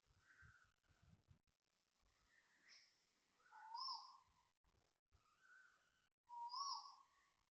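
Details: Asian koel heard at 6.23am on 13 December 2025 in Toa Payoh, Singapore, giving two loud upslurred whistles near the end. Softer notes from other birds and faint low rumbling come before them.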